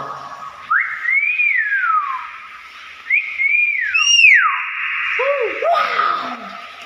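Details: Pet common hill myna whistling repeated rising-and-falling glides, three main phrases spaced about every one and a half seconds, the last loudest with strong overtones, then shorter lower swoops.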